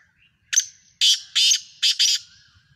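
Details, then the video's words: Black francolin, known locally as kala tetar, in Sindh, Pakistan: a short harsh note, then four loud grating bursts in quick succession, the last two closely paired, all within about two seconds. The background is quiet. "Sindhi Kala Tetar Awaz, Black Francolin Partridge Pakistan"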